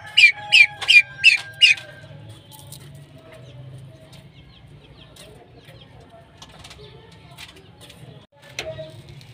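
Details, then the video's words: A female common pheasant gives five quick, harsh, rasping notes in under two seconds, then falls silent against a low background rumble. "female pheasant calling"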